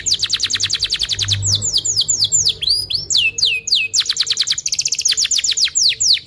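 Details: Canary lure song for training young canaries to sing: long, dense, high chirping with rapid repeated descending notes in fast runs, changing to swooping slurred phrases and back, continuous throughout.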